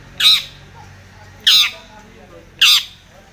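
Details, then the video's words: Harsh scolding squawks of a long-tailed shrike calling to a rival: three short, rough, grating bursts roughly every 1.2 seconds against a quiet background. "SUARA cendet gacor MEMANGGIL LAWAN"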